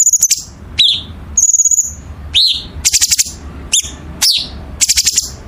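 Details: Gacor songbird singing in a masteran tutor recording: piercing high whistles and downward-slurred notes alternate with quick bursts of dry chattering notes, with a faint low hum behind.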